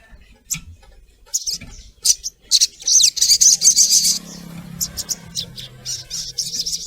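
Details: Female collared kingfisher calling to attract the male: scattered harsh notes build into a fast chattering burst mid-clip, followed by softer repeated high notes over a low murmur.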